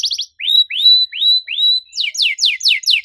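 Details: Canary singing 'cuit cuit' phrases used to coax non-singing canaries: a few quick chirps, then four rising slurred whistles, then a run of sharp descending notes about twice a second.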